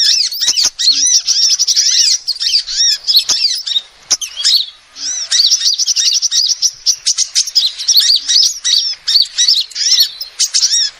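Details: Female sunbird calls recorded as a trapping lure: long, busy streams of thin, rapid chirps with arched notes, pausing briefly near the middle, then resuming in quick pulses.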